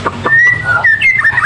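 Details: Magpie robin from Indonesia singing vigorously: clear whistled notes near one pitch, a long level whistle followed by shorter slurred and rising phrases, over a low steady hum.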